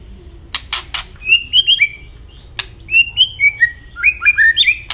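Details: White-rumped shama song: a few sharp clicks, then clear whistled notes repeated in short groups, some falling, some rising, in an even lively rhythm.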